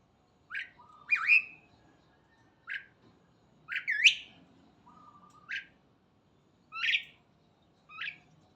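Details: Morning song of a starling: short bright whistled notes and looping twisted phrases, about one every second or two, mixed with flat low whistles and brief harsh rasps.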